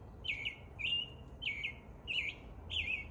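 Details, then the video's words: American robin giving its morning song in spring: five short, clear warbled whistled phrases, each about half a second long, repeated roughly every 0.6 seconds over a faint low background hum. "American Robin performing the morning song"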